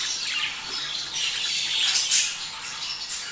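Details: A continuous warbling chatter of budgerigars, used to encourage male and female birds to mate. Overlapping high chirps and buzzy notes, with a brief louder squawk about two seconds in.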